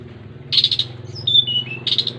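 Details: Scratchy rapid chatter from a long-tailed shrike, then a pure whistled note sliding downward in steps, then another harsh chatter burst; faint low hum throughout.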